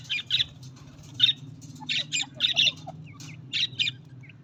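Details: Budgerigars chatter continuously in raspy, squawking chirps, often in pairs or triplets, with a few softer whistled notes between them and a constant low hum underneath.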